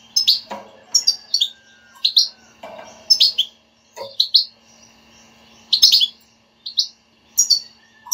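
A European goldfinch sings bright, tinkling twitters in short bursts about every second, with quick high chirps and trills over a faint steady hum.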